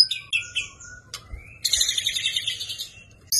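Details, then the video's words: Caged-bird training recording of a white-rumped shama (murai batu) fighting song. Short whistled slurs and a sharp click lead into a dense, buzzy, high chattering phrase. "𝙈𝙚𝙡𝙚𝙙𝙖𝙠-𝙡𝙚𝙙𝙖𝙠 raja perang faighter enerjik ngotot dan emosi full"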